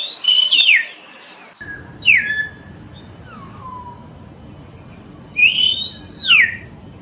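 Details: Common hill myna giving clear whistled calls: a sharp downslurred whistle, then a softer falling note, and later a loud rising-and-falling whistle with a second note after it.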